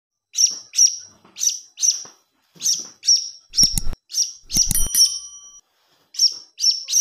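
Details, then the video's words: Blue-crowned hanging parrot chick begging, used as a lure sound: sharp, high chirps repeated in quick pairs and triplets, with a brief burst of clicking and rattling noise in the middle and a thin whistle-like tone near the end. "Suara Anak Burung Serindit"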